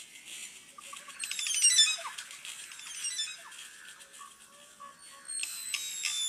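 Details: A crested oropendola song, possibly played at normal speed or slowed to a quarter speed: a bright, high burst of layered squeaky notes that tumbles downward, then scattered liquid gurgles and a final rattling flourish.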